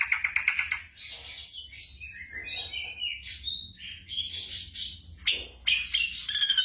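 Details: Black drongo song played at night to tutor caged songbirds: a pulsed buzzy opening, then a varied mix of whistled slurs, harsh notes and chirps, ending in a quick stuttering series; quiet background hum.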